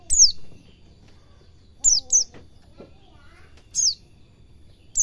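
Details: Cage-bird training recording of a white-eye singing ngalas cingjuitan: thin, high whistles sliding steeply downward, some doubled, separated by pauses of about two seconds over a quiet background.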